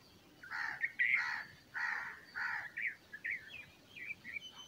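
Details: Bulbul chicks being fed by a parent: a burst of harsh, hissing begging calls in quick pulses, followed by a few thin, rising chirps as the feeding ends.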